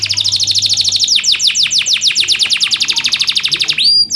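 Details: Master-song canary for training reluctant canaries: a sustained rapid trill of high notes turning into broader falling sweeps, finishing on a pure rising whistle; soft hum at the start.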